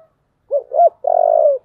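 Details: Spotted dove, said to have a 'giọng thổ' voice and to be fired up for fighting, gives two short arched low notes then one drawn-out, even, pulsing coo that falls off at the close; quiet background.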